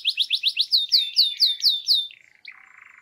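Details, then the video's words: Canary song for mating, a run of about ten clear downslurred whistled notes at four per second, falling into a softer low buzzy trill. "تغريد كناري ممتع Canary singing is fun"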